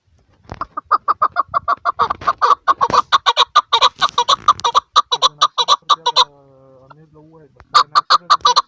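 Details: Female chukar partridge calling a rapid run of loud, clipped chuck notes that stop briefly for a low humming tone, then resume in a quick burst.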